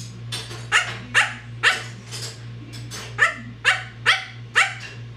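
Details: Pet parrot imitating a dog, giving rapid harsh bark-like calls, about nine sharp, noisy yelps in five seconds, some doubled, over a steady low indoor hum.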